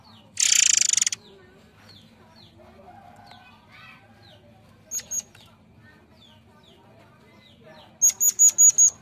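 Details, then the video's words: Murai Air bird song used as a lure: a short harsh, buzzy rattle, a long quiet gap with scattered faint chirps, then a pair of thin high notes and later a run of five bright, sharp whistled notes. "Ocehan burung Murai Air"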